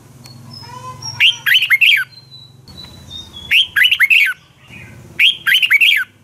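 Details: Red-whiskered bulbul fighting song used in training birds: three loud phrases of fast, rising-and-falling whistled notes about every two seconds, over a steady low hum and faint thin whistles from other birds.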